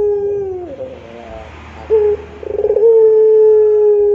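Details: Turtle dove (puter) singing in the long pelung cooing style: a low held coo that slides down, a soft gap, then a short rolling tremolo leading into a long, steady, sustained coo.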